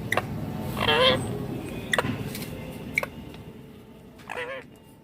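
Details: Green Indian ringneck parakeet making two grating, buzzy squawks separated by a few seconds, with scattered sharp clicks and a steady low room rumble between them.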